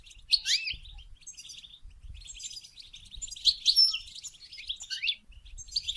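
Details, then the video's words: Goldfinch song for encouraging mating: a steady jumble of high twitters, short slurred whistles and quick trills with loud notes scattered through, and faint low knocks beneath. "Song And Stimulating Goldfinch To Mate"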